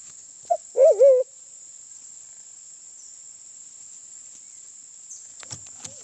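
Sulawesi black pigeon giving one short low note, then a wavering, rolling moan lasting about half a second, under a steady high insect whine.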